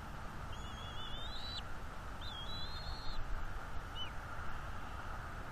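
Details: Juvenile bald eagle on the nest mantling fish and defending them from its parents, giving two long high whistled squeals with a wavering, rising line, then a short faint note, over steady low background rumble.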